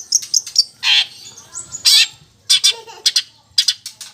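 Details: Long-tailed shrike, caged, pouring out song laced with imitations of quarrelling sparrows and lovebird calls: grating, harsh screeches alternating with short, high chirps in uneven clusters.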